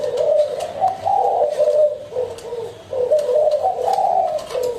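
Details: Low mellow cooing from a spotted dove, phrases of rounded notes with small pitch lifts, broken by brief pauses around the two- and three-second marks, otherwise steady and unhurried.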